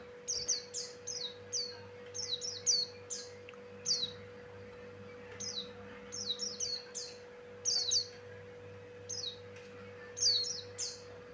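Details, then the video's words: Pleci Buxtoni, a Javan grey-throated white-eye male in rich, lively song used as a lure: rapid clusters of high, sharp downslurred whistles repeated in phrases every second or two, steady background hum throughout. "Suara Burung pleci Buxtoni Cocok Untuk Pancingan"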